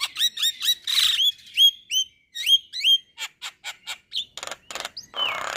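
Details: Caged male Javan myna with white eyes, singing to encourage other mynas to join: quick repeated upslurred whistles, a harsh burst, then clicks and a drawn, falling whistle.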